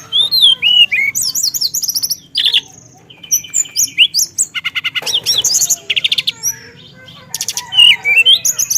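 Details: Teledekan, a Hill Blue Flycatcher, in full rolling song filled with varied phrases: slurred falling whistles, dense buzzy trills and clipped chirps tumbling one after another, a short pause, then fresh rising whistles and rattles.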